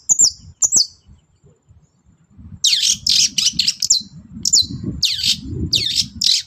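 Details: Morning song of a long-tailed shrike, used to stir other birds to answer: two clear whistled slurs, a pause, then a run of loud, rasping, high chattering phrases over faint low background rumble.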